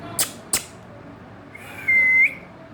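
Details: Indian ringneck parrot giving a single steady, clear whistle of about half a second ending in a short upward flick, preceded by two sharp clicks in a quiet room.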